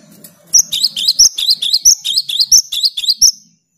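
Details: Cinereous tit singing hard, meant to stimulate silent birds to sing: a rapid string of about thirteen ringing high whistled notes alternating up and down, after a faint low murmur at the start.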